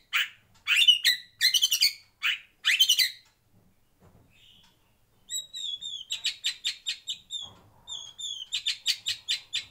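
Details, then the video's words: Captive white-rumped shama in a breeding aviary. Harsh, scratchy bursts come first, then a short pause, followed by quick high chattering notes mixed with bright whistled phrases. "Kicau Murai Batu"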